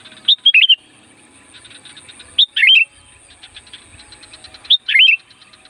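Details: Sooty-headed bulbul (kutilang gunung), a loud singer used to draw in wild bulbuls: three quick gurgling whistled phrases, each a fast up-and-down trill, about two seconds apart over soft ticking.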